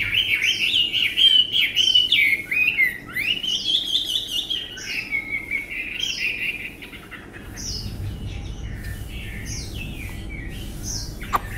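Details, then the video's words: Tame caged Chinese hwamei with a fine voice singing a long flowing whistled warble that rises and falls, followed by shorter scattered chirps and notes over a faint low hum. "họa mi ccdv1121 thuần đẹp giọng hay quá"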